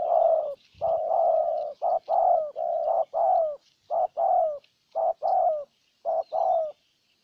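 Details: Decoy spotted dove cooing to lure a wild bird in Ninh Thuận: dense, loud low coos run together in paired phrases, short then long, slowing and spacing out toward the end.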